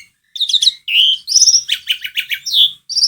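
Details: Asian pied starling (jalak suren) singing, a recording used to coax a silent bird into song: a lively jumble of high whistles, sliding notes and quick chirps, each phrase varied, with brief pauses.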